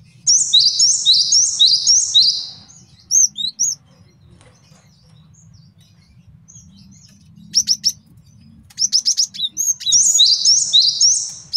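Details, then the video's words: Male cinereous tit singing a master song used for training songbirds and luring wild birds: bursts of high, repeated two-note whistled phrases, quick and rhythmic, broken by short sharp chips and a pause before the phrases resume. "MASTERAN GELATIK BATU JANTAN BAGUS BUAT MIKAT DAN MASTERAN BURUNG JAWARA"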